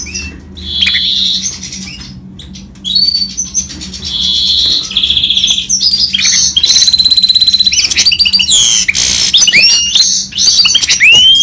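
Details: Goldfinch mule of Himalayan finch type in rolling song: buzzy sustained phrases and high whistles build into fast trills and a loud harsh noisy burst, closing with rising whistled notes; low hum throughout.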